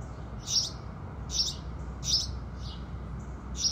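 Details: Morning house sparrow chirping with the rising sun: bright, high, buzzy chirps every half second to one second, separated by gaps, against faint low rumble.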